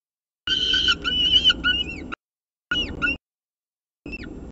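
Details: Peregrine falcon at its nest with a second meal, 2 November 2018, mid-morning: a long harsh rasping wail that breaks into short slurred whining notes, followed by two brief squealing calls.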